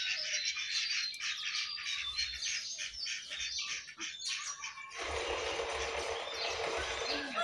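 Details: A jongkangan singing vigorously while perched on top of its cage: busy runs of quick, high chirps and twittering notes for about five seconds, giving way to a rougher, hissing rush of sound through the final stretch.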